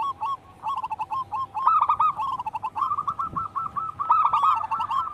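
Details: Zebra dove song from local wild birds kept as a singing lure: quick strings of hollow cooing notes, starting sparse and then running into a dense, rolling series of overlapping phrases.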